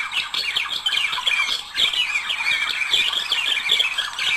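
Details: Budgerigar couple warbling to stimulate mating; steady rapid chatter of squeaky, rasping notes, with a brief dip at about one and a half seconds before the busy song resumes.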